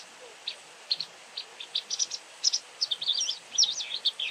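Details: White wagtail calling very often: short, sharp high chirps, sparse at first, then quicker twittering notes with rising and falling squiggles in the last seconds, against a quiet background.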